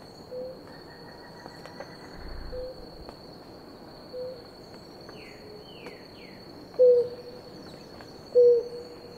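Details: Blue ground dove, a pair drinking water: two short low hooting notes near the end, a few seconds apart, with other faint hoots between, over a steady high insect-like whine and faint descending chirps.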